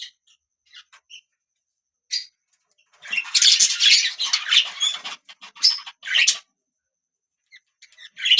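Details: Budgies chirping: isolated short chirps, then a dense burst of scratchy warbled chatter and squawky notes, followed by quiet gaps and more chirps.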